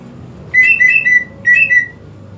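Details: Greater green leafbird song used to draw out a leafbird that won't sing: two short bursts of warbled whistles, three notes then two, with alternating higher and lower pitches.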